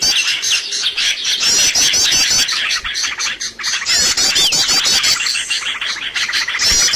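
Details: Bird lure sound used to attract birds for trapping: a dense, busy chorus of high chirps and rapid trills overlapping throughout, with short buzzy notes and a brief dip in loudness near the middle.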